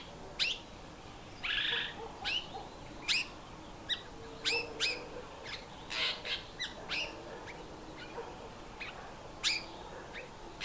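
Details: Fork-tailed drongo before sunrise in a suburban neighbourhood, mimicking a dark-capped bulbul's alarm call after noisy hadedas woke it: sharp, high chirps repeated irregularly about once a second, over a steady hiss of background noise.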